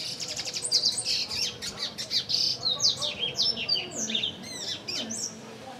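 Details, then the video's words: Several Double-collared seedeaters in the Brazilian sertão, fighting and singing. Fast high twittering trills and sharp upslurred whistles overlap in a lively jumble, with quick rattling note series. "Canto do Papa Capim"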